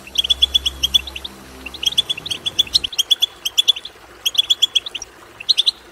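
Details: Twittering of European goldfinch meant to spur a goldfinch into song: crisp, high, liquid notes in quick clusters separated by short pauses, with a faint low hum during the first three seconds.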